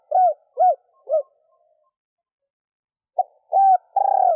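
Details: Hen spotted dove calling to excite males, a three-note phrase: three short arched hooting coos, a gap, then a brief note, a held coo and a long, faintly vibrating ending coo. No background sounds.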